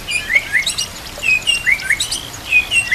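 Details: Murai batu, the white-rumped shama, singing as a training master for other murai, with nature sounds and trickling water: short bright upslurred whistles in small groups, separated by brief pauses, with faint high twittering behind.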